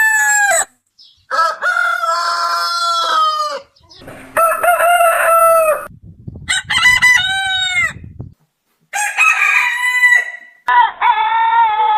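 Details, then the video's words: Roosters at a chicken farm crowing repeatedly, each crow a loud harmonic call of one to two seconds with a rising start and drawn-out ending, separated by short gaps. "The Rooster's Crow"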